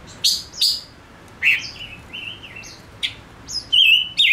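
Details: Male silver-eared mesia decoy singing: loud sharp chirps, then short flat whistles, ending with a wavering, warbled whistle and another chirp.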